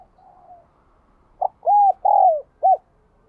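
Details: Ringing bell-voiced coo of a spotted dove, the giọng đồng kim style: a short note, two long arched coos and a clipped final coo, following a faint earlier phrase.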